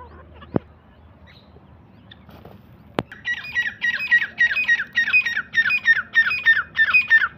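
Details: Irani teetar, or black francolin, starting after a couple of sharp clicks and low background hum: a fast string of rasping, squeaky phrases repeated about three times a second.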